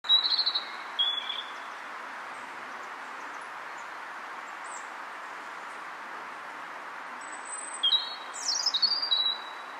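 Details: A great tit (Parus major newtoni) in Brussels, Belgium, in November 2015 gives two brief bursts of high, thin notes, one at the start and one near the end, over a steady background hiss.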